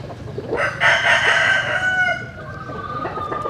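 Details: Rooster crowing at dawn while chickens sun themselves in the morning: one long, hoarse, harmonic crow that rises, holds, then trails off over about two seconds, with soft clucking before and after.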